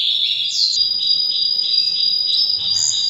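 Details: Canary during breeding season holding a steady high whistled note over a rapid rolling trill, with brief rising flourishes.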